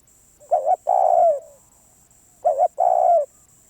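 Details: A stubborn wild spotted dove gives two loud phrases, each a paired short coo followed by a drawn-out, gently descending hoarse croo, with a silent pause between them and a thin constant high whine in the background.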